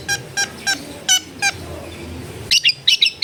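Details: Long-tailed shrike (cendet) recorded at home, giving five evenly spaced harsh, harmonic-rich notes followed by a quick cluster of high, sharp chips.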